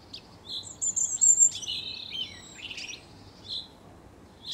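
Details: Common chaffinch singing: a quick run of high, thin chirps and trills that descends toward a closing flourish, followed by a few scattered short notes, with no other clear sounds.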